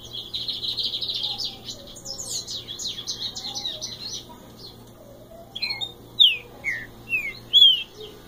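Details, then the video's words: Common song of a green-winged saltator (mateiro): after a stretch of dense high chattering from other birds, several strong, sharply descending whistles arrive in a spaced series near the end. "TRINCA FERRO MATEIRO"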